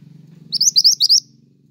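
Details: Pied triller in lively song, for bird luring and songbird tutoring: a quick run of five bright, upward-slurred high notes in about half a second, with a low hum underneath.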